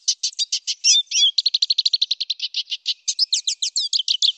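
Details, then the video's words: Loud, clear rolling song of a Black siskin: high chirps with two curving whistled slurs, a long rapid trill of short notes, then a lively finale of swept twittering notes. "MASTERAN SUARA LANTANG , NGEROL PANJANG BLACK SISKIN / Suara Jernih , Burung Langka"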